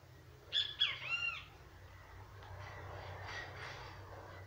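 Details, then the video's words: Great kiskadee singing: two sharp loud notes followed by a longer slurred, harmonic-rich note falling away, given once near the start, then low steady hum and faint background noise. "O CANTO DO PÁSSARO BEN TE VI"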